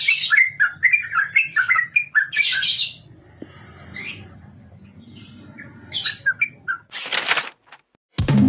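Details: Yellow-vented Bulbul (Pycnonotus goiavier) calling: quick bubbly chirps and short gurgling phrases in bursts, with a quieter stretch midway and a brief harsh noise at the end.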